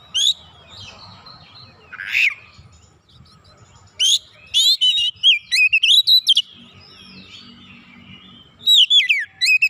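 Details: Oriental magpie-robin replying insistently and unloading its repertoire of learned songs: rapid runs of clear, sharp, high whistles and warbled trills packed into dense bursts, with an early harsh rasp and short pauses between phrases.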